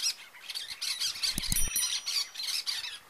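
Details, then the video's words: A pair of cactus parakeets (Eupsittula cactorum) gives harsh, grating squawks in quick overlapping bursts, calling together, with a few low knocks underneath. "CASAL DE PERIQUITOS DA CAATINGA"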